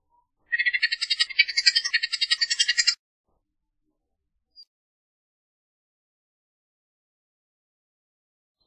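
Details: A Bullock's oriole utters a fast harsh chattering rattle lasting over two seconds, followed by a long stretch of near silence.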